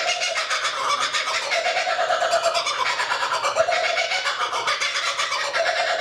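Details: Lone kookaburra sitting in a tree at the edge of a lake near Tuggerah, Australia; a busy, rattling laugh of quick repeated notes, rising and falling in waves across the whole stretch.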